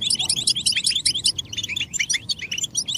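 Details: Stimulation calls of a European goldfinch to make males sing: fast, bright, tinkling chirps in a steady, bouncy twitter with no pauses.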